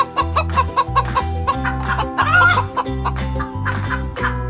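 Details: A chicken clucks in quick, short bursts, several times a second in loose runs, over steady background music with a deep pulsing bass line.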